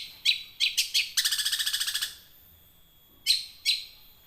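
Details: Young wild long-tailed shrike doing a rolling song, used as a lure to get caged shrikes that have stopped singing to sing. Sharp high chirps open the song, then a fast run of about a dozen buzzy notes, a pause, and two more chirps.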